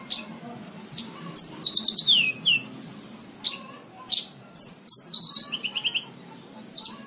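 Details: Cage-bird training recording of a lark: isolated high chirps and whistles broken by rapid rattling trills and a falling slurred note, phrases spaced by brief pauses.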